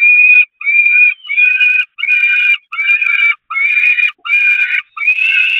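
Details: On the Catharinakerk nest grating on 11 May 2021, peregrine falcons beg during a feeding with a steady string of shrill, harsh, squealing cries. Each lasts roughly half a second and they repeat about eighty times a minute with clear gaps.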